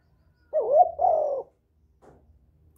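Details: Spotted dove lure call: a single loud two-part coo, the first note wavering and rising, the second long and level, followed by silence and faint trailing sounds.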